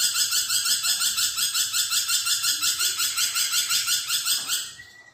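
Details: Lorikeet (nuri perkici) singing vigorously, a dense, buzzy, high chattering trill pulsing about three times per second for nearly five seconds, then fading out, in a small indoor space.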